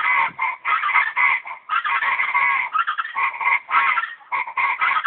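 Chachalacas calling in a raucous chorus: harsh, grating phrases repeated rapidly and overlapping, with brief pauses between bursts.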